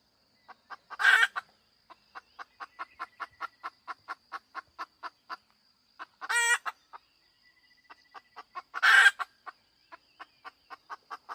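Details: Hen cackling at length: long trains of rapid, even clucks are broken by three loud, rough squawks, one sounding stuttered and broken. A faint high whine is heard in the background.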